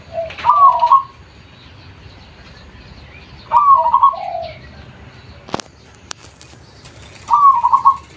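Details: Natural call of a local zebra dove, kept as lure sound: three rolling trilled coos spaced about three seconds apart, each opening with a lower note, plus a couple of sharp clicks between.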